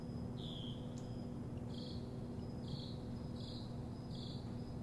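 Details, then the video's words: A bird sings in the morning, giving faint, high, level whistled notes about every second against a constant low background hum. "Bird singing, top o the morning"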